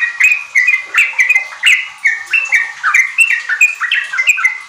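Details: Lure song of a sooty-headed bulbul (trucuk) for kept birds: lively chattering whistles, short bright phrases repeated several times a second with sharp clicks between, sustained throughout.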